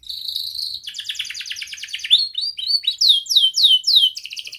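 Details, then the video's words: Young canary with a tight rolling song, used to teach other canaries: a steady buzzy note, then a fast rattling roll, then repeated loud upward-sweeping whistles about three per second. "Kenari Gacor Muda Rol Rapat Cuit cuit ngeroL"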